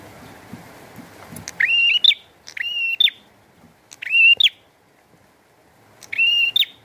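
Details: Bar-winged prinia in lively song with rain: four longer, high, level whistles, each starting with a quick rise and ending with a sharp upward flick, spaced one to two seconds apart, over soft rain.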